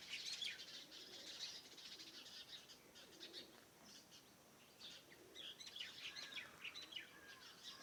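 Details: Morning around a farmhouse with overlapping high twitters and chirps from several birds, a few soft lower notes underneath, continuous and busy throughout.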